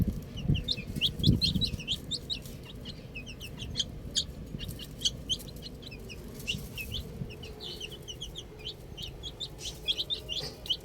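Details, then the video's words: Baby chicks enjoying the outdoors, a busy chorus of high overlapping peeps throughout, with a few low thumps at the start. "Cute Baby Chicks Chirping Sounds"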